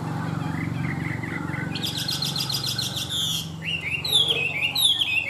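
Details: Tame Chinese hwamei singing: after a low steady hum, a loud burst of rapid buzzy trills, then clear upward and downward slurred whistles in quick varied phrases.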